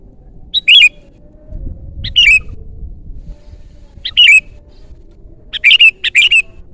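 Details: Sooty-headed bulbul song recorded loud for luring and tutoring: single and paired chirpy, down-slurred notes spaced about every one and a half seconds, ending in a quick triple burst, close and clean.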